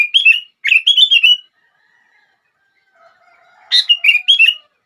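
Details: Sooty-headed bulbul song to make other bulbuls sing: two bouncy warbled phrases, a quiet gap with faint low sounds, then another lively phrase opening on a sharp note.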